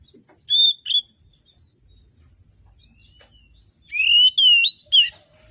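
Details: Oriental magpie-robin lure song for reluctant birds: two short sharp whistles, a long pause, then a flowing series of rising and falling whistled slurs, with a faint low rumble and constant high hiss.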